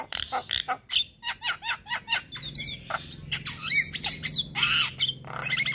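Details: Javan myna singing on a training recording meant to coax reluctant caged mynas into song; rapid clicking notes and bent whistles give way to harsh squawking phrases and chatter, with a low droning hum underneath.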